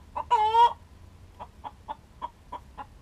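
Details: Domestic hen singing the egg song: one loud, drawn-out squawk with a dipping pitch, followed by a steady run of short clucks at roughly quarter-second intervals, with a faint low hum underneath.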